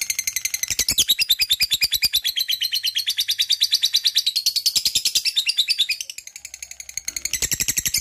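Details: Continuous ngekek chatter from a lovebird: a steady, fast stream of high, grating chirps for eight seconds, easing slightly in loudness around the sixth second before picking up again.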